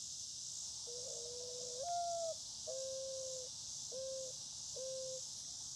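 A Mourning Dove gives its soft, hollow, owl-like coo: a long rising first note, then three shorter level coos, over a steady high hiss.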